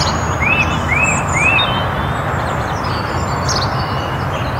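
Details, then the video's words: In Perthshire woodland in Scotland, a song thrush sings three matching arched whistles in quick succession, followed by scattered high squeaky notes, all above a constant low background roar. "Song Thrush On Visit To Woodland In Perthshire Scotland"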